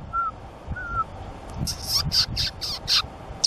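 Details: White-tufted Sunbeam at Mollepata, Cusco, giving a burst of five or six harsh, scratchy chips about three per second, after two soft, low whistled notes.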